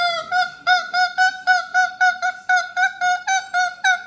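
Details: Pet cockatoo hanging out with grandma, giving a steady series of about thirteen loud, harsh, nasal honking squawks, roughly three each second, in a small indoor room.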